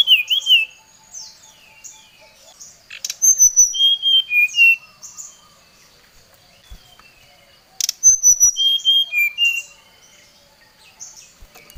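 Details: Brown-chested jungle flycatcher summoning an opponent, used as a lure: two bursts of bright whistled phrases, each a run of sharp descending notes, separated by quieter scattered twitters and background chirping, with loud clicks before each burst.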